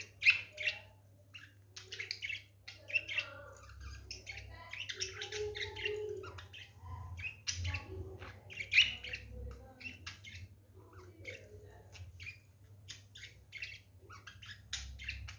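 A budgerigar chatters in a fast, scratchy stream of high chirps and short warbled notes.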